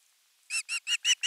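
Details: Osprey chick on nest 3, 10 August 2021, calling for fish: five short, shrill notes in quick succession, each louder than the last.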